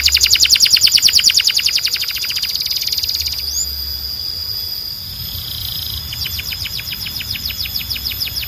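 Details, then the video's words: Belgian canary song calling other canaries to sing: a loud, very fast even trill for about three seconds, a sustained quieter whistle, then another rapid trill. "Belgian Canary Calls All The Canaries to Sing‼️"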